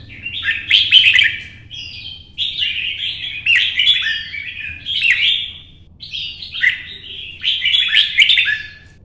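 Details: Competition singing by a red-whiskered bulbul hopping between perches: five or six lively, gurgling phrases, each about a second long, delivered in steady succession with faint low hum behind.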